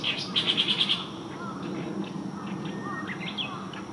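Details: Oriental reed warbler singing on a June 9, 2023 morning: a fast burst of about seven sharp, even, high notes in under a second, then fainter scattered chirps and low arched calls from other birds behind.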